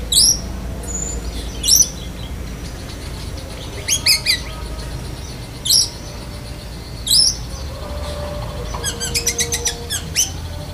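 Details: Oriental magpie-robin of the black-breasted form copying a lovebird: sharp isolated notes every second or so, closing with a quick rattling trill, against constant low rumbling noise.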